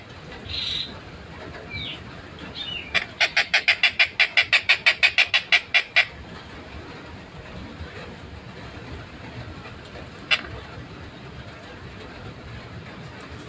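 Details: Long-tailed shrike in a lively, clear, fast tight song: a few soft notes, then a tight three-second burst of rapid rasping pulses followed by near silence and one sharp click.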